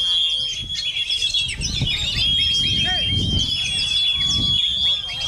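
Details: Kacer (oriental magpie-robin) singing despite being hit by wind, with rapid repeated chirps and whistles about four per second. Heavy low wind noise surges in the middle.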